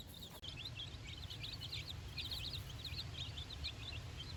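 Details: A brood of four-day-old chicks with their mother on fresh grass, their first outing, chirps in a dense, overlapping chorus of high, quick, wavering peeps, about ninety per minute, over low background noise.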